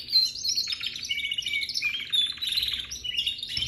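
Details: Baby canary in full song: a busy, unbroken stream of high, fast trills and chattering twitters, slightly scratchy, sliding between higher and lower phrases.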